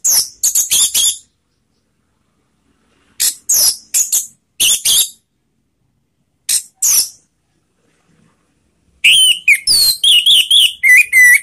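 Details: Lure recording of an orange-headed thrush to set other birds singing: groups of dry, scratchy high rasps separated by silences, ending in a quick run of clear, warbling whistled notes.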